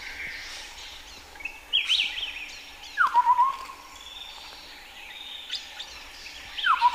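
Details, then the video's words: Hill forest at Bokor National Park, Cambodia: a chestnut-headed partridge repeats its call, a downward-slurred whistle trailing into quick pulsed notes. It sounds twice, while a higher, thinner bird phrase sings in between. "Chestnut-headed Pratride"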